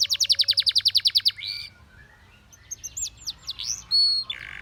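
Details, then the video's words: Spanish Timbrado canary song for training, opening with a rapid high trill of about a dozen pulses, then a pause and scattered upslurred whistles ending in a level tone. "The Most Powerfull Spanish Timbrado Canary Singing"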